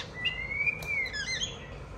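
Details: Pet White-rumped shama singing as a child plays with it: one long, smooth, slowly rising then falling whistle, followed by a few quick higher twittering notes.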